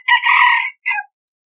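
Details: Hybrid decoy red junglefowl rooster crowing: a loud, harsh, drawn-out note followed after a brief pause by a short falling final syllable, in an otherwise silent setting.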